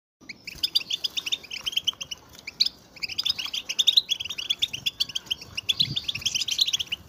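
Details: European goldfinches in a group chorus of mating and readiness calls meant to stir males into song: dense, high, tinkling chirps packed in rapid overlapping bursts, with a brief lull near the middle before the twittering swells again.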